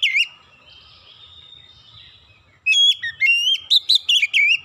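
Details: Oriental magpie-robin song used as a lure to get other birds singing: one brief whistle, a quiet pause, then a loud run of clear, sliding whistled phrases repeated in quick succession.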